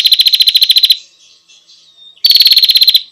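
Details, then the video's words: A female bar-winged prinia gives a call to attract the male. Two rapid rattles of about fifteen clipped high notes each are separated by a second of soft, thin twittering. "Suara burung prenjak betina"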